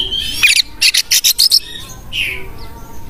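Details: Oriental magpie-robin singing energetically for a master training track: a rapid series of six harsh rasping bursts within one second, preceded by a scratchy note and followed by a single clear descending whistle.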